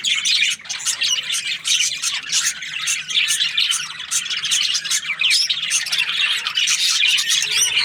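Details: Chorus of breeding-pair budgerigars: overlapping chirps, clicks and rapid warbling squawks pour out nonstop, bright and high, with a brief dip near the start.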